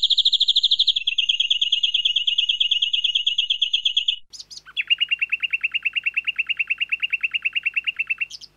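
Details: Lovebird ngekek panjang for training: a long, rapid, high chattering trill that drops slightly in pitch, a brief pause with a couple of sharp notes, then another extended, even fast trill.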